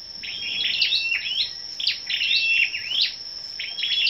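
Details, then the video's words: Scarlet-backed flowerpeckers gathered together in the morning of 10 May, singing competitively: thin, high chirps and short rising-falling twitters in quick bursts, with a steady high insect-like whine running throughout. "Những Chú Chim Sâu Đầu Đỏ Siêng Hót Đấu"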